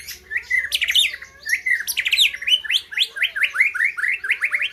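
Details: White-rumped shama from Gayo land, Aceh, singing at the 2021 Presiden Cup bird competition: a rich, varied run of quick whistled and chattering phrases, sliding notes repeated in rapid bursts, with a faint low hum beneath.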